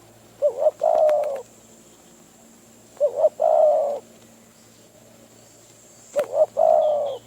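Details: Wild spotted dove in Phrae, Thailand, lured by a decoy bird; three low cooing phrases, each two short notes then a long drawn coo, repeated about every three seconds, with a steady faint electronic hum.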